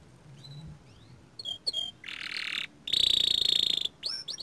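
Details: Young canary singing: after faint scattered whistles, loud buzzy trill bursts alternate with a high, steady, rattling note held for about a second, ending in a couple of looping whistles.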